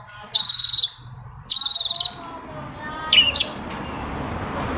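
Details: Long-tailed shrike, recorded as a prompt for shrikes reluctant to sing: two short, even buzzy trills about a second apart, then a brief squeaky double note, with steady background hiss rising toward the end.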